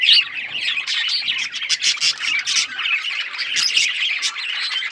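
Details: Several budgerigars chirp in busy chatter, a steady stream of high, rasping warbles, quick tweets and short squawks with no pauses and no other sounds.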